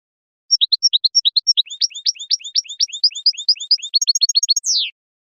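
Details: European goldfinch natural song for a lure recording: a lively run of high chirps that speeds into dense, buzzy upslurred twittering with faint high ticks, ending in a drawn-out, falling buzzy note.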